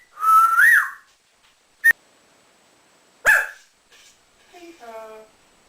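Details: Pet male African grey parrot, about two years nine months old, a mimic that talks, whistles and copies animals, gives a loud rising whistle, then sharp clicks, a squawk and a short voice-like murmur.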